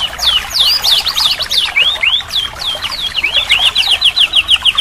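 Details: Varied white-rumped shama masteran with rich fill-in material for a bird that will not sing. Quick looping and sweeping whistled notes give way to a fast run of high, repeated down-slurred chips.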